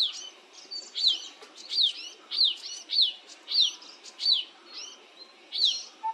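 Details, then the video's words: White-tailed nuthatch on a tree branch at Chopta, Uttarakhand, India, April 2023, giving high, thin, downslurred chirps, about nine in a row, roughly two-thirds of a second apart over a faint hiss. "White tailed nuthatch seen chirping"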